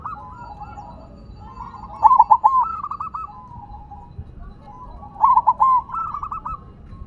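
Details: Zebra dove, silver variety, singing on the ground with two bubbling phrases roughly three seconds apart, each a quick string of pulsed coos followed by a longer rolling trill.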